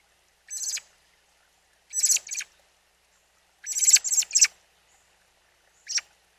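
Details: A newly fledged young robin, at a mountain spring with its mother, gives harsh, hissy high-pitched calls in short single and doubled bursts roughly every two seconds against a quiet background.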